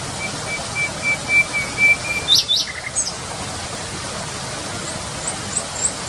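A nightingale sings a fast run of thin repeated piping notes, then a couple of sharp upward-sweeping whistles and faint high chips, over steady background hiss.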